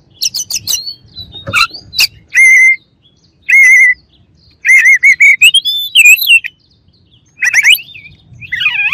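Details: White-rumped shama singing loud, rich whistles: wavering held notes, rapid clipped chirp series and rising, bending phrases separated by brief pauses.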